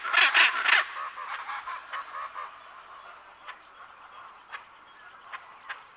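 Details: Hyacinth macaw pair calling from medium-close to medium distance: three loud, grating squawks open the clip, followed by softer scattered calls and chatter from other parrots and birds in the background.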